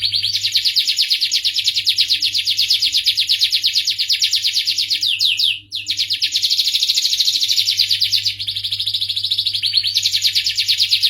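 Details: Long high-pitched starblue canary song made of dense rolling trills, briefly broken by a few descending slurred notes and a short pause near the middle.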